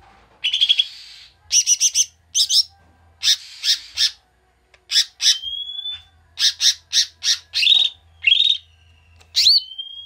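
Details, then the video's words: Agitated ngamuk song of a koto or cucak mini bulbul, played as a lure for stressed birds: loud, harsh, buzzy bursts alternating with clear rising whistles, in short phrases with brief pauses. "PANCINGAN BURUNG KOTO/CUCAK MINI"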